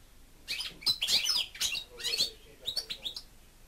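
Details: A kept European goldfinch, a pet bird, singing: fast bursts of bright, tinkling twitters and buzzy trills high in pitch, several quick phrases run together over a quiet background.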